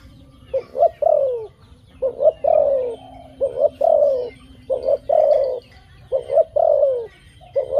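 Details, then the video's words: Repeated dove coos in quick groups: paired short notes run into longer, smooth, falling coos, with faint high twittering and a low steady hum behind. "Good sound dove.Bunyi merpati yang bagus"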